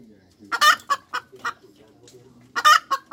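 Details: Short hen cackle, two loud harsh bursts each followed by quicker, softer clucks, with a faint low hum behind.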